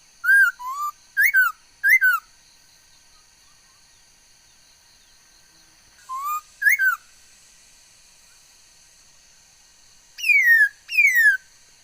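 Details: A female laughingthrush singing, able to produce many different sounds, recorded 13 August 2021; loud, clear whistled phrases of two or three sliding notes come in short bursts separated by pauses of several seconds, over a faint steady high-pitched whine.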